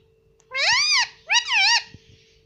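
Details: Talking Indian ringneck parrot kept as a green pet, known for saying "mummy" and "papa", utters two nasal, rising-then-falling word-like syllables in a high squeaky voice, the second split into two quick parts, with a faint steady hum behind.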